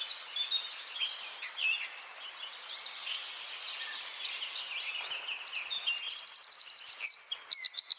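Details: Wren rapid-fire 'tembakan' song for training songbirds: several seconds of faint jumbled high twittering, then a loud, fast, even trill of high repeated notes near the end.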